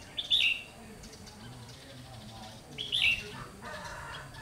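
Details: Two brief chirpy phrases about two and a half seconds apart from a red-whiskered bulbul decoy set out to lure wild birds into a trap, 30 June 2020, with faint softer notes afterward.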